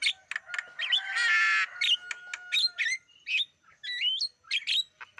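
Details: Black-winged starling song played as a lure for wild birds: a short harsh grating burst early on, followed by twisting whistled notes and quick chirps with brief pauses between them.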